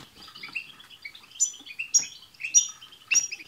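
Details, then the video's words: Several European goldfinches twittering together, a chorus played to prompt a pet goldfinch to sing: high tinkling chirps and warbled notes, with sharp bright call notes bursting out roughly every half second. "بتبتة حسون جماعية رهيييبة مع تستسات تجعل حسونك يغرد"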